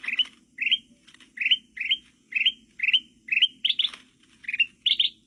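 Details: Forest recording of a sooty-headed bulbul used to lure wild birds: quick, rising, whistled chirps repeated about twice a second, some doubled near the end, over a faint low hum.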